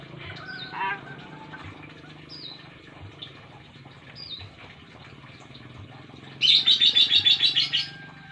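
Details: Chatty young Nias hill myna kept as a pet in Indonesia, learning to speak; scattered whistled downslurs and voice-like sounds, ending in a loud rapid burst of about ten harsh high notes.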